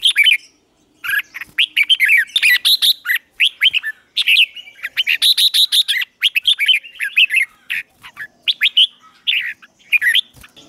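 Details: Morning song of a red-whiskered bulbul for song training of other bulbuls, Vietnam: after a short pause, dense strings of lively whistled and warbled notes pour out, bubbling and chattering, loud and steady throughout.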